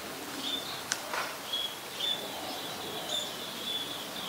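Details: Scaly-breasted munia in Ubon Ratchathani, Thailand, 26 March 2022: thin, high, level whistled notes, short and evenly pitched, repeated irregularly about every half second, with a couple of sharp clicks and steady rural background hiss.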